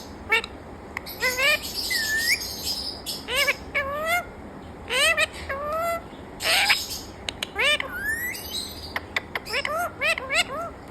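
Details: A talking parrot strings together many short rising, harmonic-rich calls and curling whistles with a few harsher squawky bursts, delivered in quick clusters with brief pauses between them.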